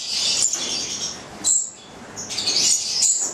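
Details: Stella's lorikeets of the goliathina form, a nine-month-old captive pair from Italy, making a continuous hissy high screech broken by one short pause.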